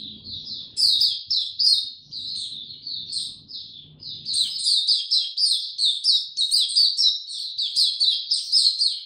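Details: Kept Oriental white-eye, opening song recorded 2 May 2022: bright, high chattering phrases, briefly broken, then an unbroken rapid twitter of sweet notes, with faint low household sounds early on.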